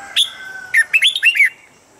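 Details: Red-whiskered bulbul standard morning training voice to get birds fired up: a sharp opening whistle, a short pause, then a rapid tumbling run of five bright, bubbly whistled notes.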